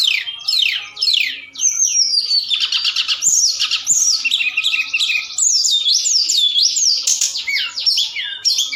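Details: Forktail singing at night as a lure sound meant to stir other birds into answering. A dense, continuous stream of high chirps, rapid downslurred whistles and buzzy trills, with nearly no pauses.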